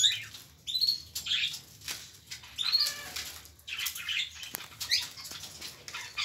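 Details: A mockingbird in Soacha gives harsh, scratchy phrases about once a second, each with a brief high whistle, over a light background hiss.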